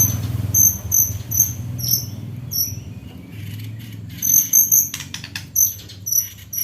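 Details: White-rumped shama taught hanging parrot (srindit) song, delivering it in a fine fighting style: rapid, piercing high double notes repeated about twice a second, a few clicks midway, and a steady low hum.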